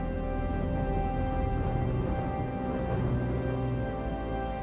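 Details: Dark, sustained background music with low droning tones and steady layered chords; no animal voices can be picked out.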